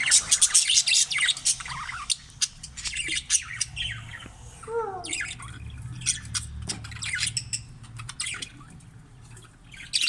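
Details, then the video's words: Several caged green budgerigars chatter continuously with high scratchy squawks and chirps, plus a short run of descending warbled notes near the middle, in a breeding cage setting. "bajri parrot | voice"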